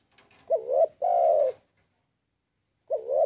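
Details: Spotted dove, known locally as tekukur, calling to draw rival birds into answering: loud low coos around a steady pitch, a short wavering note then a longer held one, pausing before the next phrase begins.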